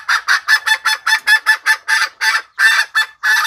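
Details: Hen red junglefowl decoy call used to tempt wild males into traps; loud, coarse clucks repeated about four times a second with small irregular pauses.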